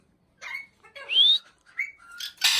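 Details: Pet Indian ringneck parakeet, described as a talking parrot, gives short whistled notes, one rising sharply, then a brief hoarse squawk at the end.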